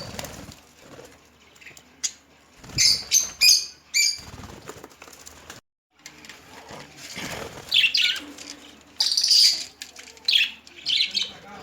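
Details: Pet budgerigars feeding on coriander give short, bright chirps in scattered bursts, with wing flutters in between.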